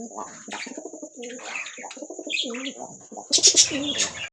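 Ringneck parrot chattering in low, warbling, voice-like phrases of quick pulses, ending in a burst of harsh, shrill squawks over a steady high hiss.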